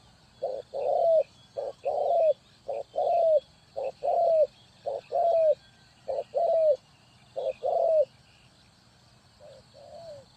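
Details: Spotted dove from Ninh Thuận used as a decoy for trapping wild doves: a short note followed by a longer falling coo, repeated roughly every second, ending with a quieter coo, over faint high hiss.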